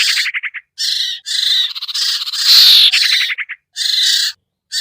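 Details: Common iora (sirtu, sertu or cipoh) lure call used to bring hard-to-lure birds down: harsh buzzy chattering bursts alternating with rapid ticking trill series, no other sounds.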